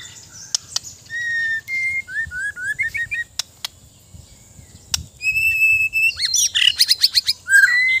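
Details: Varied song of a white-rumped shama (murai batu): clear level and slurred whistles, some sharp clicks, then a dense rapid burst of high chattering notes and a rising whistle at the end.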